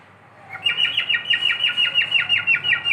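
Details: Domestic cockatiel giving fast repeated chirpy whistles, a bright trill of evenly spaced notes at constant pitch that starts after half a second and continues throughout.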